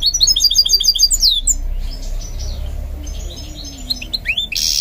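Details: Goldfinch mule in song training, giving a quick run of bright, high repeated trilled notes, then a sweeping downward slur, before fading to scattered faint chirps over a low background hum.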